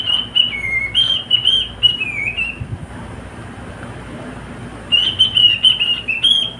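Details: Pet male cockatiel singing along with a companion: a series of clear high whistled notes, some level and some dipping, in a quick run, then a pause before another fast burst of whistles; faint low hum underneath.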